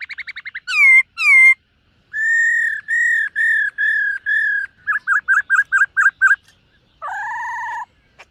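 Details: Morning song of a caged black-throated laughingthrush doing voice training in dancing style. Rapid tremolo notes, two loud falling whistles, a row of even mellow whistles, then a quick staccato series and a double-toned held note.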